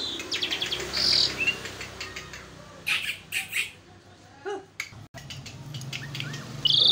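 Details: Asian pied starling (jalak suren) in lively, full song: a varied mix of harsh buzzy bursts, short squeaky whistles and chattering notes, with brief pauses between phrases and a faint low hum behind.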